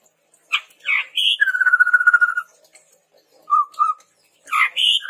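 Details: Chestnut-rumped babbler song meant to lure and tutor birds: a harsh chatter, then a long steady rapid trill, followed by two low whistles and another rough burst.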